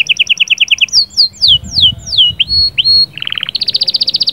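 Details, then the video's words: Canary song intended to stimulate a female: a quick series of high chirps, then descending slurred whistles, a few long sweeps, and a rapid buzzing trill at the end. "صهصهات وبتبتات طائر كناري غول و تغريد🔥🔥 يجهزلك الانثي فورا"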